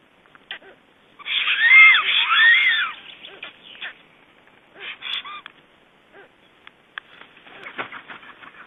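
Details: Black stork returning to its just-hatched chicks at the nest in Estonia, 2012; a loud burst of harmonic, arching, rising-and-falling calls lasts about two seconds, followed by softer scattered calls and clicking nest noises.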